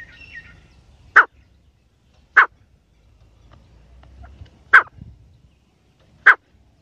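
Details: Partridge uttering four loud, short, sharp calls at uneven intervals of one to two seconds over a faint low background hum.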